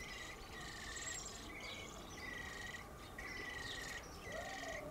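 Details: Eurasian blackbird, one of two young from a very early brood, fledging and leaving the nest with flapping wings. Harsh, raspy broadband calls, each about half a second, repeated five times at short even intervals, with faint chirps from other birds behind.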